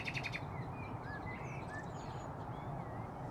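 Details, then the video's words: At Braziers Meadow, Orwell Country Park, a nightingale opens with a quick series of repeated clicking notes, followed by soft, drawn-out slurred whistles over a low hum of background noise. "Nightingales singing around Braziers Meadow, Orwell Country Park."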